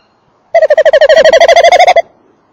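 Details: Tawny owl male at the nest box on a December evening in 2013: a quick run of evenly spaced, throbbing notes making a trill of about one and a half seconds, recorded at close range.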